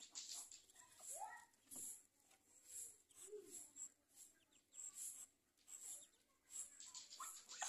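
Newly hatched Muscovy ducklings give soft, whimpering peeps that rise and fall, with thin high chirps repeating throughout.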